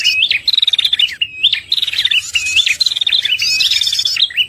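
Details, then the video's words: Prinia lure call used for trapping, a red-headed prenjak recording meant to draw in birds and to spur ones gone quiet after moulting: bright whistled phrases with sharp upslurs and rapid buzzy trills, delivered almost without pause. "suara pikat prenjak paling ampuh"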